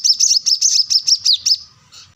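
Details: Plain-throated sunbird singing to find a rival, used as a lure and master for untrained birds: a short run of shrill, slightly warbling high notes, about five per second, fading to quiet at the end.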